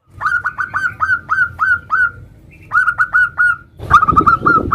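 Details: Zebra dove, a local bird singing 'nutut' variations meant to lure others into song: clipped, evenly spaced cooing notes in two short runs, then a louder burst with rumbling background noise.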